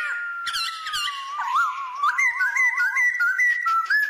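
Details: Female White-cheeked laughingthrush, a kept bird, gives a long descending whistle breaking into rapid wavering, warbled notes, with overlapping higher whistles.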